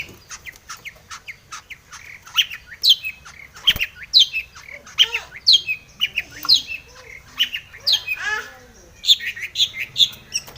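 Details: Dense, energetic long-tailed shrike song full of fill: a rapid medley of rising and falling high chirps, squeaky slurs and sharp notes, almost unbroken for ten seconds, used to lure other shrikes into song.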